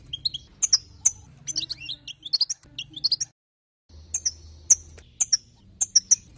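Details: European goldfinch song to rouse other goldfinches: crisp high chirps and short twittered phrases, a silent gap near the middle, then evenly spaced bright notes.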